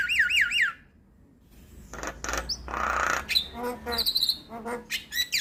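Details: Javan myna singing as lure and tutor material for starlings: looping rising whistles, a pause, then a long harsh hiss followed by buzzy grating notes and more high looping whistles.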